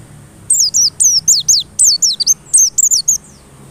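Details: White-eye song used to provoke white-eyes into singing persistently: a rapid series of high, sharply descending whistled notes in short clusters, continuous for about three seconds with brief gaps, over a steady faint high hiss.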